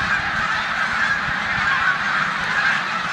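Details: Snow geese resting during migration in a Savannah, New York corn field on 14 March 2020, with Canada geese; an unending mass of yelping honks from a large flock, steady and even in loudness.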